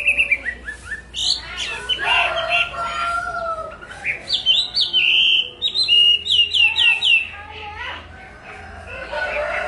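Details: Chinese hwamei (họa mi) song of mixed whistles and rapid slurred note series, some buzzy, with pauses, a low hum and faint background tones.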